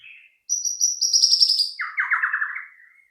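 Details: White-rumped shama singing as a lure to prompt other birds to sing: a high, steady trilled phrase followed by a lower, fast rattling trill, clear with no other sounds.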